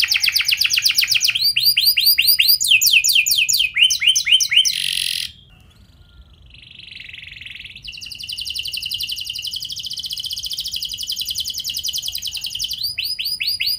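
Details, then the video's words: Canary song used as a lure to make other canaries sing: fast repeated sweeping trills and rolls, a brief harsh burst, a short pause, then a long rapid buzzy trill at high pitch. "Pasti Nyaut Gacor Do00r Dengan Pancingan Kenari Cengkok Mewah Nembak Panjang Ini"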